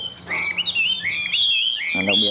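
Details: Chinese hwamei in a cage singing through rain, a dense, lively warble of looping whistled phrases at high pitch, continuous and varied.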